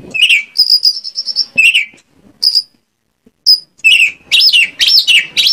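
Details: Oriental magpie-robin song used to draw out other birds: held high whistles and short notes, a silent gap of about a second, then a rapid string of looping whistled phrases.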